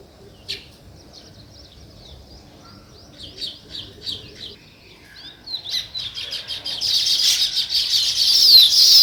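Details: Natural sparrow chirping, weaver birds named as well: a few spaced, sharp high chirps at first, then more frequent calls building into a dense, loud chattering chorus by the end.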